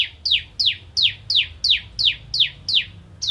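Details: Bar-winged prinia (crystal variety) singing 'nembak ngentrok': a regular series of bright, sharply descending chips at about three per second, clear and close.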